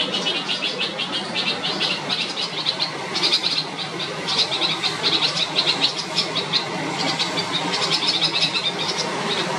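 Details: Red-vented Bulbul mother in panic as her gaping, unsure chick leaves the nest, alerting the neighbourhood; persistent rasping chatter in rapid bursts that grows louder toward the middle.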